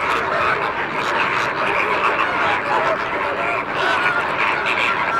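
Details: Wild greater flamingos at the Sigean African reserve, birds from Italy, Spain and the Camargue: a dense, continuous chorus of honking, goose-like calls from many birds at once, with no pauses.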